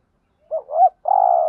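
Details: Spotted dove giving the urging 'thúc gù' coo played to stir wild doves: two short hollow notes and then a longer, steady low coo, with clean silence before it.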